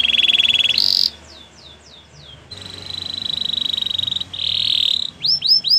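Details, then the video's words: Spanish Timbrado canary holding a buzzy metallic roll, then a few quick falling notes, another long even trill, and ends with rising slurred notes; faint background hum. "Melodies canary bird song | Spanish timbrado singing"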